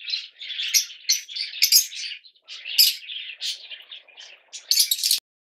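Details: Yellow Fischer's lovebirds give a string of shrill, squeaky chirps and short screeches, softer in the middle, ending in a loud burst before sudden silence.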